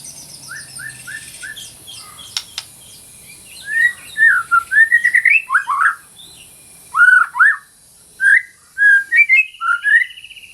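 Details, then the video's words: Caged white-rumped shama: soft repeated short whistles at first, then loud bursts of slurred, rising and falling whistled notes with brief pauses. "MASTERAN MURAI BATU GACOR - TERAPI MURAI BATU MACET BUNYI"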